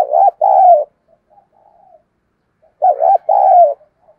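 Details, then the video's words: Excited cooing from a spotted dove used as a decoy bird: two paired coo phrases, each a short warbled note and a longer falling one, separated by a quiet gap with faint murmurs. "Tiếng Chim Cu Mồi Thúc Gù Căng Lửa"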